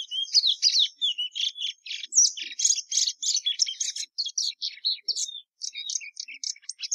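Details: A plumbeous seedeater, Sporophila plumbea, delivers a long, energetic song of high twittering notes, quick buzzes and clipped whistles, rattled off at a rapid, uneven pace in a quiet setting.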